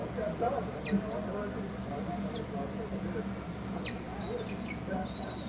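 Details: Bald eagle eaglets at a Hornby Island nest watched by a camera as an adult arrives with food, the young not very interested: thin high whistles, long and level, each ending in a sharp downward slur, over a steady low hum.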